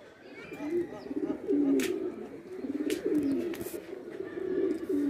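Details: Indian pigeons playing, kagzi type, steady low throaty coos from several birds, rising and falling in repeated phrases, with a few sharp clicks.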